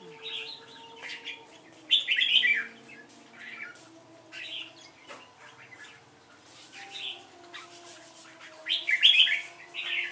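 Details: Competitive song of the red-whiskered bulbul, with loud warbled bursts at about two and nine seconds between softer phrases, and a constant humming tone behind.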